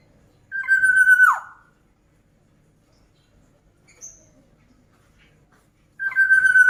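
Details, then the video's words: A black-naped oriole in full voice gives two loud, slightly nasal whistles, each held level and then swooping sharply downward. A long silent gap with one faint high tick separates them. "Kicauan Burung Kepodang Mas Gacor."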